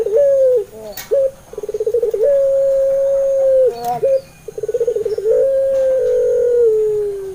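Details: Dove of the puter pelung type singing as a lure for doves that seldom sing: drawn-out even coos broken by quick stuttering trilled notes, a falling final coo, soft clicks between phrases.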